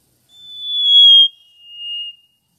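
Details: Mangrove whistler (Pachycephala cinerea), South-east Asia: a long, pure whistled note held level and slightly falling, then a shorter, slightly lower whistle after a brief pause; no other sounds.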